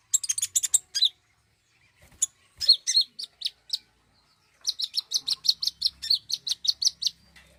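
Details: Song of the common iora used as a lure to get a bird singing: bursts of rapid high chirps separated by short gaps, ending in a steady run of evenly spaced sharp notes.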